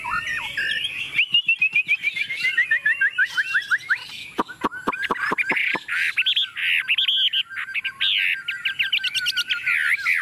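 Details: Chinese hwamei, tame and placed on a table, sings a quick run of repeated whistled notes, sharp clicks, then loud harsh buzzy phrases mixed with warbles.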